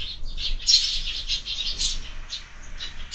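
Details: Sparrows at a feeder mounted on a window in the morning, a continuous smeared run of high chirps with a low background hum.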